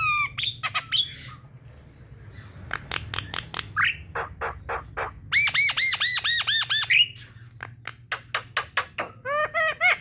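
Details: Javan myna song for coaxing reluctant birds to sing: rapid clicking notes and buzzy squawks, then a burst of about eight arched, ringing notes, more clicks, and a closing series of rising chirps.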